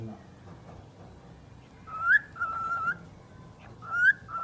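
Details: A pet talking bird whistles two short, level tones, each starting with a quick upward slide and held for about a second, with a soft murmur of room noise underneath.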